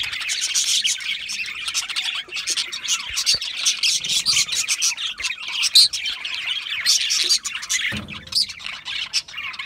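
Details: A flock of budgerigars keeps up a lively mix of thin chirps and rasping warbles, with a slight pause near the end before the chatter picks up again.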